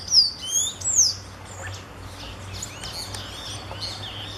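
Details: Creamy-bellied thrush (sabiá-bico-de-louça) calling in the wild: a few thin, high, down-slurred whistles within the first second, then faint scattered chirps over a steady low hum.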